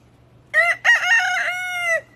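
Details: Rooster crowing: a loud harmonic cock-a-doodle-doo with two short opening syllables and a long sustained final note lasting about half a second, over a faint low hum.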